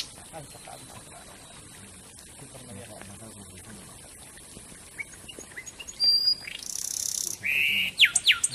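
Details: Wren song used as training material for magpie robins: after a quiet start, loud, high, rapid chirps and sharp trills burst out in the last few seconds, with faint background hiss.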